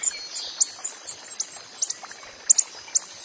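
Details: Coppery-headed emerald hummingbird in the wild: short, very high, sharp tick-like notes, spaced irregularly about every half second, with a faint steady high hiss behind.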